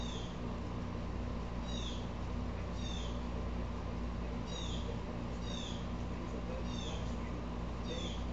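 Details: Upset Blue Jay repeating slurred, falling harsh calls at fairly even spacing, somewhat subdued, over a steady low-frequency drone.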